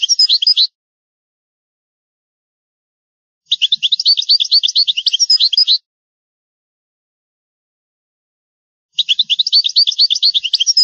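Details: European goldfinch on a rare tape of ancient song, the original goldfinch language: three dense bursts of quick, liquid twittering, each about two seconds long, separated by silent gaps of roughly three seconds.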